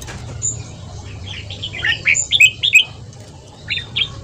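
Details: Fast morning song of a red-whiskered bulbul in the ché style, meant to train and provoke wild-caught birds: a cluster of loud, quick whistled notes after a quiet start, then a short softer phrase near the end.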